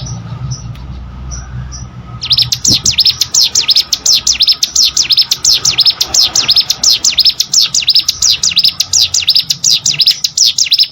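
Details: Prinia, known locally as cigun or prenjak gunung, used as training song for competition birds: after two quiet seconds, a loud run of rapid high V-shaped whistled sweeps repeats steadily, about one and a half per second.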